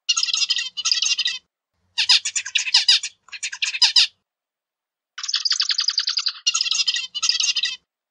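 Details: Zebra finch song in separate bursts of tight buzzy chatter with short pauses between. One long phrase is a steady, rapidly pulsed rasp, followed by two more buzzy bursts.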